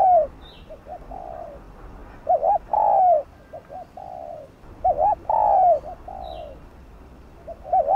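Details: Spotted dove, a bird of village farmland, cooing to draw in wild doves: phrases of a quick wavering double note and a drawn-out falling coo, with short soft coos between, plus faint higher chirps.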